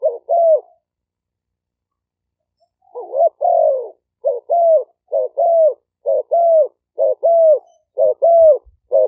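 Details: Malay-strain spotted dove decoy birds recorded live in Roi Et province, Thailand, used to lure doves. After an opening pair of coos and a gap, a steady run of about ten short low coos at roughly one per second.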